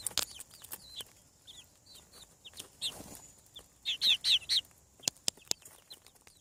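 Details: Newly hatching farm chicks give a string of high, falling peeps. A loud cluster of four strong, evenly spaced peeps comes near the middle, and scattered clicks and knocks are heard throughout.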